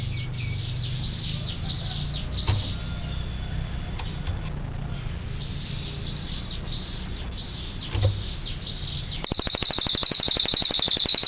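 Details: Cililin in lively, chatty form with a long clear burst: soft high chirps and other small birds first, then a fast, even, very high rattling trill that runs for the final two seconds.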